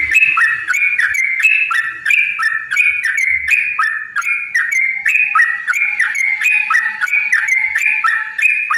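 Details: Sooty-headed bulbul lure song to set other birds singing: continuous cheerful whistled phrases, each a high note sliding to a lower one, overlapping densely for almost nine seconds with faint low knocks.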